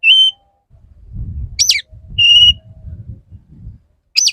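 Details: Male Oriental magpie-robin courting a female: clear, steady whistled notes and quick up-and-down sweeping whistles separated by pauses, over a soft low rumbling background with faint music.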